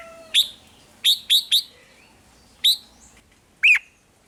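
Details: Caged red-whiskered bulbul from Thailand singing, its song used to excite other caged birds; a string of short sharp chirps, some in quick triplets, ending with a lower slurred note.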